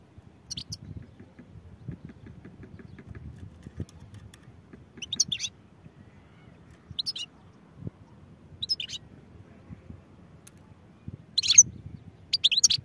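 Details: European goldfinch singing: short, high, twittering bursts about a second long, spaced irregularly every one to two seconds across the recording, with a soft low rumble of background noise.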